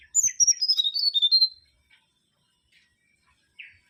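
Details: Mangrove whistler (Pachycephala grisola) delivering a quick cascade of about a dozen clear, sharp whistled notes that steadily drop in pitch over roughly one and a half seconds. Silence follows, then a short buzzy note.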